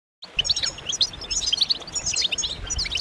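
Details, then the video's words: Group chorus of European goldfinches singing together as a lure to stir males into song and excitement, with mating calls: dense overlapping twittering, tinkling and buzzy high notes packed continuously, over a faint low rumble. "بتبتات جماعية رهيبة للحسون فعالة في تحفيز الحسون على التغريد والهيجان"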